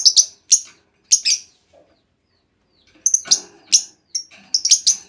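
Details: Shrill, high chattering chirps from a female lovebird, used as a lure so other lovebirds answer with long trilling; paired notes early, a pause, then a denser run of sharp calls.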